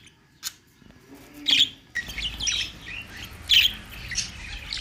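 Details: Budgerigars chirping, with a few sharp high chirps and squawks spaced irregularly over a quiet background, then a denser burst of chatter in the second half.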